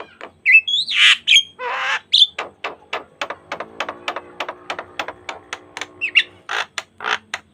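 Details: Asian pied starling song used as a lure for training other starlings: harsh squawks and bent whistles opening into a long run of rapid dry clicking notes, then more squawky whistles and clicks.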